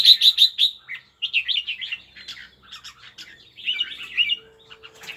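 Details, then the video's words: Red-whiskered bulbul giving kekek calls during a wing display: bright chirpy notes around the upper range in quick bursts, a fast run of sharp repeated notes at the start, then warbled phrases and a faint steady hum late on. "Jambul very nice wing display n kekek ( red whiskered bul2)"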